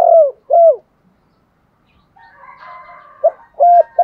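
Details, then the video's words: Lure spotted dove used in dove training. Two downward-curving coos open the clip, followed by a soft mixed murmur of fainter sounds. Clipped hoots and a level coo then start a new phrase. "tieng chim cu moi thuc gay goi cu moi gay/ chim cu mồi dùng luyện mồi và bỏi rất hiệu quả"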